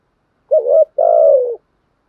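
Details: Spotted dove cooing in the 'thúc với gù' style: one phrase made of a short wavering coo and then a longer, steady coo that slowly falls in pitch, against a silent background.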